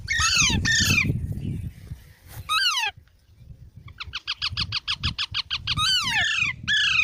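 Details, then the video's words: Green parrot mixing harsh falling squawks with a fast, evenly spaced chattering series of short notes, over a low rumbling background. "Funny Parrot Sounds"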